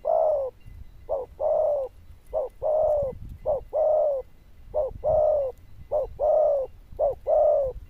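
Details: Zebra dove noted for a loud bell-like voice, cooing continuously in regular phrases. Each short clipped note is followed by a longer, slightly falling coo, roughly every second, over low rumbling background.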